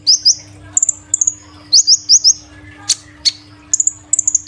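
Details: Sunbird (kolibri ninja) kept in a cage, singing loudly three days after a cage move: sharp high downslurred chirps in short bursts, a few abrupt clicks, over a low constant hum.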